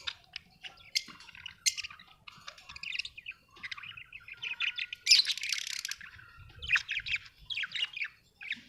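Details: Budgie chirping in a steady run of quick, bright twitters and short scratchy warbles, with a louder buzzy burst midway and clicks in between; no other sounds stand out.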